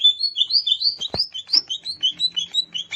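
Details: Wild greater green leafbird at Alas Purwo, Banyuwangi, pouring out a continuous rapid warble of bright rising and falling whistled notes, about six notes per second.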